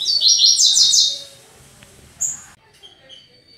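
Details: Caged male-type double-collared seedeater (Sporophila caerulescens) giving its fast "tui tui" song: about a second of rapid, bright, slurred high notes, then one thin high note after a pause; faint background noise.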